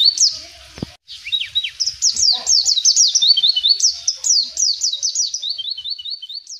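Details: A white-eye singing in the wild sings a fast, high, unbroken twitter of thin sliding chirps, about three or four notes a second. A single soft knock sounds early on.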